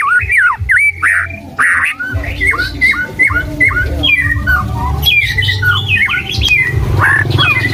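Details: Song of a white-rumped shama that keeps changing its tune: a rapid string of loud, sharply upslurred whistles and harsh squawky notes, shifting to higher varied phrases, with a constant low rumble beneath.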